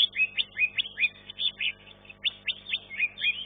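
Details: Caged green leafbird, third-place winner at a bird singing contest, delivering rapid, varied chirps and whistled trills, about two or three phrases a second, high and sharp, with a faint background hum.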